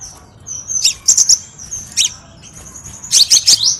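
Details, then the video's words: Crimson sunbird lure song for training cage birds: thin, high sustained whistles broken by quick clusters of sharp, sparkling chips, the notes densely packed near the top of the range. "MASTERAN GACOR & PIKAT KOLIBRI SEPAH RAJA SUARA PANCINGAN"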